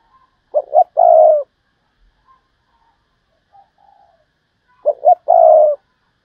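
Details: Decoy spotted dove in 'thúc bổi' calling: two-short-one-long coo phrase given twice, about four seconds apart, with faint soft coos between.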